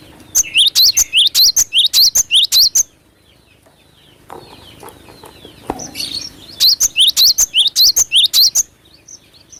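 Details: Vigorously singing cinereous tit (glatik batu) used as a lure: two bursts of fast, high, repeated whistled phrases, about ten each, separated by a pause of a few seconds with soft background rustling.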